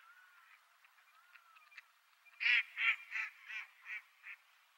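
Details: Wild mallard breeding in Japan, around Nikko, giving a run of six harsh nasal quacks that fade in loudness, after faint thin whistles from another bird.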